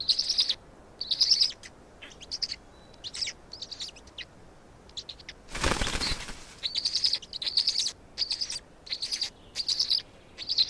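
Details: Estonian black stork nest during feeding, 16 May 2019 at 16:58: clipped, high rasping chirp bursts with pauses, broken midway by a loud whoosh of flapping wings.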